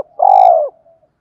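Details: Single spotted dove coo from a decoy recording meant to lure wild birds: one strong, steady, slightly throbbing note lasting half a second, dropping at the end, then a faint trailing hum.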